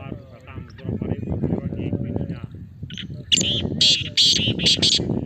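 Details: Male black francolin (kala teetar), Islamabad, calling to encourage silent captive birds: after about three seconds of human talking, a burst of harsh, rasping, clipped notes in quick succession closes the recording.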